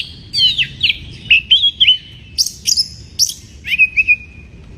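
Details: White-rumped shama in breeding condition, song to provoke rivals: fluid slurred whistles rising and falling, interspersed with bright high chips, ending on a long steady whistle; quiet background.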